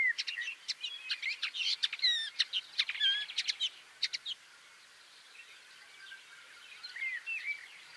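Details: A shrike among almond trees, where it impales grasshoppers as a larder, gives a busy run of sharp clicks, chirps and short whistles for about four seconds, then faint scattered chirps.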